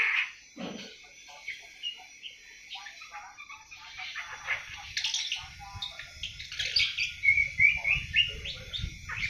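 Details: Seven-month-old awar-awar beginning to sing, giving a rambling, irregular run of quick high chirps and twitters, several per second, with faint low rumbling in the background.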